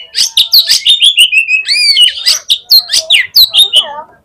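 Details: Fighter oriental magpie-robin at a song contest, a song said to quickly fire up rival magpie-robins: loud, rapid, varied high notes, sharp chips mixed with slurred whistles, delivered without pause.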